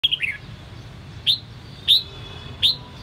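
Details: Captive red-whiskered bulbul of the Sông Kon line in voice training: a quick run of bright warbled notes, then three separate sharp upslurred whistles about two-thirds of a second apart, over a faint low hum.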